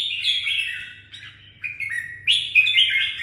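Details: Red-whiskered bulbul from Đồng Nai, Vietnam, singing in short bursts of warbled, fluty notes that slide up and down. A steady low electrical hum runs underneath.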